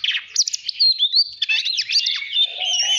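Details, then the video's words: Oriental magpie-robin singing on a voice-training track meant to provoke competitive song. Dense, rapid run of high whistled slurs and twittering notes with a few quiet low whistles near the end. "Chòe than hót hay /luyện giọng /ép giọng chuẩn /kích chim hót đấu hiểu quả"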